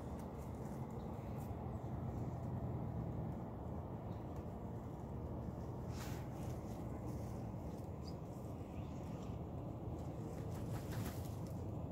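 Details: Only steady low outdoor rumble like distant traffic, with a few faint clicks and no clear animal voice.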